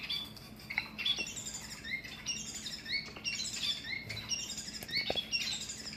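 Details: Captive long-tailed finch, also called shafttail finch, in a large flight; the male makes a loud crow-like sound during courtship. Here, many short chirped and squawky notes at high pitch come in quick, uneven succession over faint room hum.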